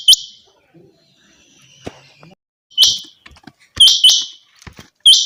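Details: Changa quail uttering high, ringing upswept notes with buzzy trailing tails, some doubled, interspersed with clicks and soft background knocks.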